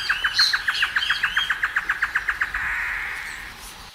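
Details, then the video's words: Great antshrike singing in the wild: a quick series of about twenty short, evenly spaced hooting notes that speeds slightly over two and a half seconds, ending in a sustained rough, growling note; faint higher chirps from another bird early on. "canto do choro-boi na natureza (Taraba major)"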